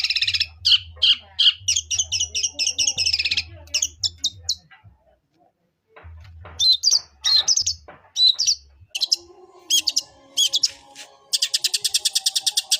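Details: Long-tailed shrike in fighting song imitating sparrow calls: loud, high chirping phrases in quick runs, a brief quiet gap near the middle, then renewed sharp chips ending in a rapid buzzy trill, with a low background hum.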